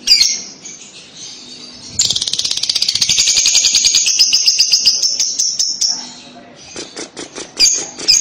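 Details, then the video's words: Lovebird chatter used as a lure to get young lovebirds to call; loud, very high rattling trill running for several seconds, with sharp repeated chips before and after. "pasti lovebird paud akan nyaut dengar kekek an labet ini, cara jitu pancing labet paud bunyi"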